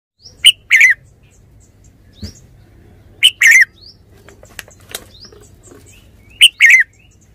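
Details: Red-whiskered bulbul giving short, loud, chirpy warbled phrases that rise and fall, three phrases spaced about three seconds apart, each opening with a sharp note, over a low steady hum.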